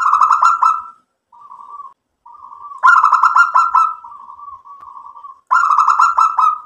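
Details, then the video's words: Zebra dove, a local bird in strong song, coos in fast rolling trills: three loud pulsed bursts with smooth softer coo phrases filling the gaps, a steady chain of gurgling notes. "PERKUTUT LOKAL GACOR mbekur Ngerot memancing EMOSI jadi NYAUT BUNYI ikut MANGGUNG"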